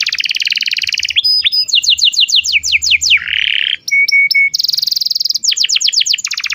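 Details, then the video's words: Long, continuous song of a canary used to teach young birds to sing and to restart a bird that has stopped singing. Dense fast trills alternate with falling slurred whistles, a harsh buzzy burst, and short steady notes. "kenari gacor panjang Cuit Cuit EMOSI, Pancingan Kenari Paud Belajar Bunyi"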